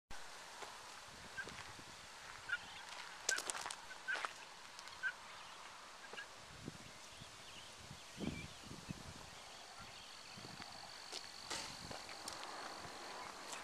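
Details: A flock of Helmeted guineafowl (Numida meleagris) in Hyde Park, Vermont, on 19 September 2020 gives scattered harsh, rasping calls over a steady hiss of background noise.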